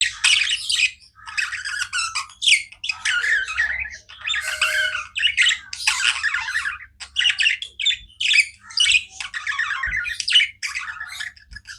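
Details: Pet budgerigars chirping non-stop: dense, rapid bursts of scratchy, buzzy chatter and high squeaky notes, overlapping calls with short pauses, no other sounds.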